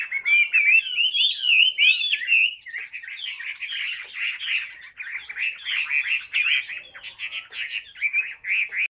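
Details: Caged Chinese hwamei singing its whole repertoire while fanning its tail: a fast stream of bright whistled notes, looping slurs and chattering trills, rising in intensity and then settling into rapid repeated warbles.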